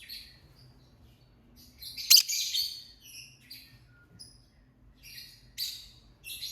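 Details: Lovebird singing with scattered high twittering notes, one sharp loud squawk near the middle, then soft chirps and a few more harsh bursts spaced irregularly.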